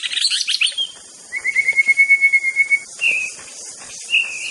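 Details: White-rumped shama from Aceh, master song: a chattering burst, then a long level whistle pulsing rapidly, followed by two short warbled notes, with steady hiss behind.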